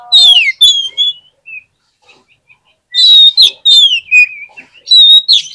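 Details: Kacer (Oriental magpie-robin) song played to make lazy birds respond quickly: repeated loud phrases of bright, falling whistles and sharp high notes, separated by a quiet gap of faint twitters.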